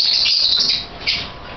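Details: Masked lovebirds (Agapornis personatus), a breeding colony of 26 birds in about 10 pairs in an aviary, keep up dense, shrill, high-pitched chatter, with a louder burst of squeaky calls near the end.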